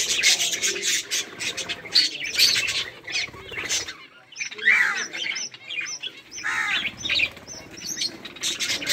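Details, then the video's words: Budgie colony recorded 24 July 2023 while the birds play: dense chirping chatter, then a series of short repeated high squeaks mixed with warbles after a brief pause. "budgies chirping and playing"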